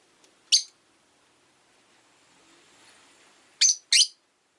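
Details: Rosy-faced lovebird on a relaxed afternoon: one sharp, high shriek, a quiet pause of about three seconds with faint hum, then two shrill chirps close together.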